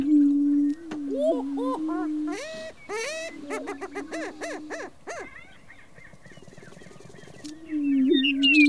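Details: Several Greater prairie-chickens (Tympanuchus cupido) giving courtship display calls: a low, hollow moaning boom broken by quick rising whoops and chattering cackles, with faint wind behind.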